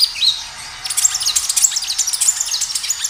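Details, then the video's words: Rapid gacor song of a kinoi as a lure recording: after a couple of thin high whistles comes a continuous, dense chatter of quick high-pitched chirps. "Suara kinoi gacor"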